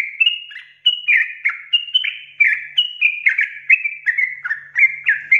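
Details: Sooty-headed bulbul pouring out a rapid ropel song of loud, slurred whistles, each note dropping in pitch, chained closely together in a lively, rolling stream.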